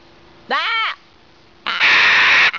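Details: A bad-tempered macaw quarrelling with an elderly woman: a short voiced call, a pause, then a long, loud, harsh screech.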